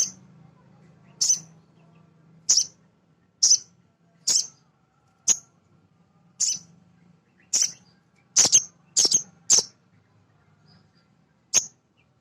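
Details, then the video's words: Repeated sharp, high-pitched chirps from a male sogon sunbird, a lure for other birds. They are spaced about a second apart, with a brief burst of closely doubled notes midway and a low hum early on. "Suara Sogon jantan asli"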